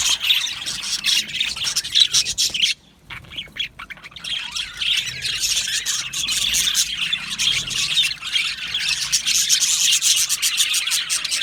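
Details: Happy budgerigars in an aviary colony, a dense, continuous chorus of high, scratchy chirps and squawks from many birds, briefly dropping to near silence for about a second before the chatter resumes.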